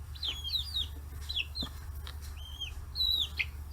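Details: Young 40-day-old chickens feed on fish heads on a free-range farm in Kitahiroshima, Japan. Clear, high, falling peeps come in small bursts with short gaps between them.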